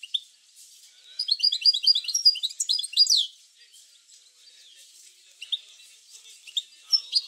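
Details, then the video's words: Goldfinch song intended to encourage goldfinches to sing: a two-second burst of rapid, jangling high twitters and trills, followed by softer scattered chirps and a faint whistle. "اروع بتبتة لتحفيز الحسون على التغريد"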